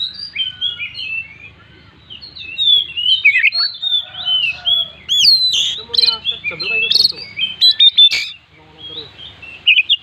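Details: Chatty Oriental magpie-robin in full song with imitated fill-ins, its characteristic bursts used as a lure for other birds: a dense run of high warbled, slurred whistles and chirps with sharp clicks and a low background hum.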